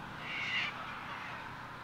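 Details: Sulphur-crested cockatoo at Mt Coot-tha, Brisbane, Queensland, recorded 6 November 2022 on a Canon R7: a single harsh, raspy screech lasting under half a second, followed by quieter background hiss and a low hum.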